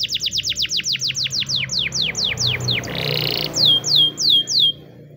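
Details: Spanish Timbrado canary, white, singing a training song: a long run of evenly spaced falling high notes, a brief buzzy burst, then a few louder, slower swept notes before stopping.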